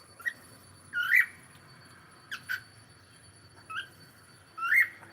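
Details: Sharp upward chirps and squeaky calls from a pet cockatiel come in spaced bursts, a few short notes each, with quiet gaps between.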